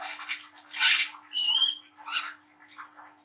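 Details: Brown-throated Sunbird, young and mottled, in lively rough chatter used to stimulate young birds. A loud scratchy burst followed by a buzzy, slightly wavering whistle and softer chirps.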